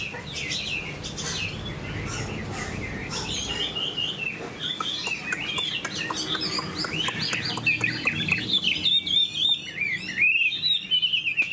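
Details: Chinese hwamei in captivity pouring out a long, varied song of whistles, warbles and rapid trills, ending in a burst of fast, twisting phrases; clicking and rustling underneath.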